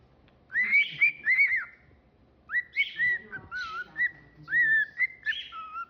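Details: Cockatiel kept as a pet whistling its song indoors: bright arched whistles in quick pairs, a pause, then varied level and dipping notes with a little rough chatter mixed in.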